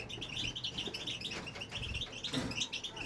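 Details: Aviary male European goldfinch that keeps singing once started: dense, bright twittering of clipped high notes, chirp after chirp, with soft low-pitched background sounds.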